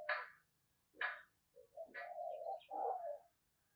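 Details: Lure spotted dove cooing to draw in wild doves; three sharp clicking notes at about one-second intervals alongside a drawn-out low wavering coo, with faint high chirps.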